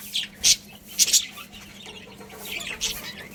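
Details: Short, piercing chirps from a colony of budgerigars arrive in a few separate bursts over a constant low hum.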